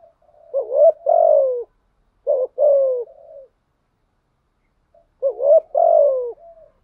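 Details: Spotted dove used as a decoy bird, cooing steadily: low two-part phrases, a short rising double note then a longer falling hoot, repeated three times with gaps; no other sounds.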